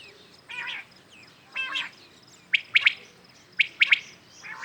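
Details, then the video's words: Common quails heard one morning, real birds recorded clearly for hunting: two soft nasal notes lead into two quick, sharp three-note whistled phrases, with a faint nasal note at the end. "Today common quails calling | شکار کے لیے اصل بٹیروں کی صاف آواز"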